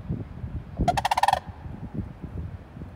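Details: Sandhill crane dated 5-3-20: a single brief, purring rattle of about eight quick pulses with a resonant trumpet-like quality, set against soft low-pitched background noise.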